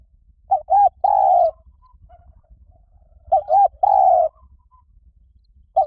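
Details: Spotted dove call used to lure wild doves: two cooing phrases about three seconds apart, each two short hooting notes then a longer drawn-out coo, low and mellow, in a quiet background.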